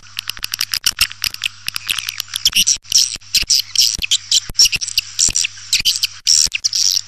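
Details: Swiftlets calling in a lure recording for attracting birds: dry sharp clicks mixed with thin, high buzzy twitters, irregular and dense throughout, with a faint low hum beneath.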